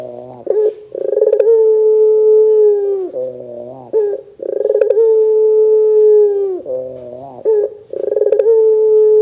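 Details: Barbary dove in full voice, calling to set other doves off: repeated phrases of a soft rolling burr leading into a drawn-out level hoot that drops away at the end, three phrases in nine seconds.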